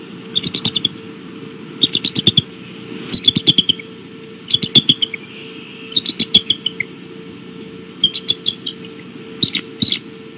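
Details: Bald eagles at the Decorah nest calling on 17 March 2016 at 18:15: bursts of high, squeaky, chittering notes in quick clusters, repeated about every one and a half seconds, over a steady low hum.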